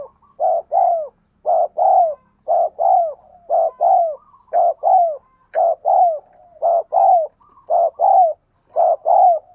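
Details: Spotted dove in 'thúc gù' cooing, a style used to train decoy birds and stir wild doves to call: steady series of low, paired, slightly falling coos about every second, with faint soft trills between.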